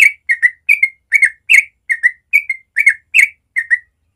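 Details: Rapid ropel morning song from a yellow-vented bulbul, recorded naturally: continuous bright whistled couplets, about ten in four seconds, each pair slightly falling, no other sounds present.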